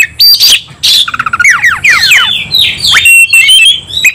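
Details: Oriental magpie-robin, emotionally charged and fighting, gives loud harsh bursts followed by a rapid series of descending whistled slurs and a long, strident whistled phrase.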